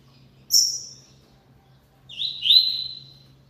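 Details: Double-collared seedeater in song: one piercing high downslurred note, a pause of over a second, then a loud, rising-and-falling whistled phrase fading out gradually, over quiet background.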